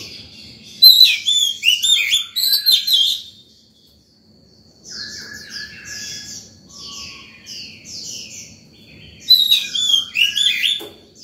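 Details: Oriental magpie-robin in breeding condition singing in the morning, used to attract wild birds and train young; two loud bursts of rapid whistled notes, with softer repeated chirps between them.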